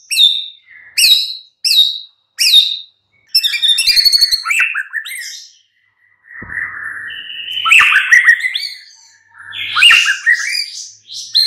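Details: White-rumped shama song used as a morning lure recording to make birds answer and sing: four sharp repeated whistled notes, then a long varied stretch of rapid warbles, trills and slurred phrases.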